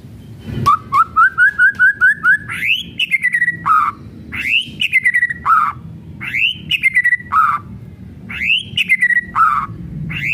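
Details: Kretekan song of a white-rumped shama, used as a lure to make other shamas sing. A run of eight quick rising whistles is followed by a repeated looping phrase: an upswept whistle, falling notes and a low burr.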